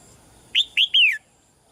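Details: One phrase from a caged female red-whiskered bulbul calling gently to push a male to sing louder: two short clear chirps followed by a longer whistle that curves down.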